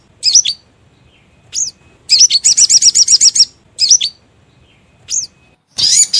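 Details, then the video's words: Sogon lure call used to attract birds for trapping: scattered high, bent chirps, then a rapid rattle of about nine chirps, more single notes and a final broad harsh burst. "SUARA PIKAT BURUNG SOGON GACOR‼️DIJAMIN LANGSUNG TURUN"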